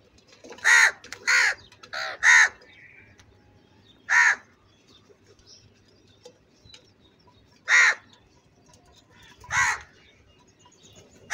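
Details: Crow in an angry mood: three quick harsh caws, then single loud caws spaced several seconds apart, with a fainter answering caw between them.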